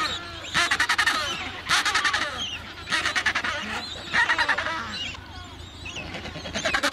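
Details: Adélie penguins at a breeding colony of 150,000 pairs on Paulet Island, Antarctica, on 1 February 2019: harsh braying, pulsed calls in repeated bursts from many birds, overlapping over a steady low rumble of wind.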